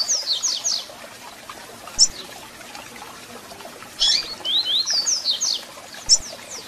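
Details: Double-collared seedeater song with calls, meant to warm up a caged bird: quick high slurred whistle phrases at start and middle, separated by sharp isolated chip calls, steady hiss throughout.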